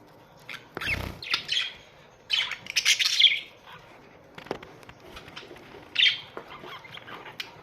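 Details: Australian budgerigar colony: scratchy warbling chirps in bouts, a loud knock early on, then quieter twittering with a clear squeaky note later.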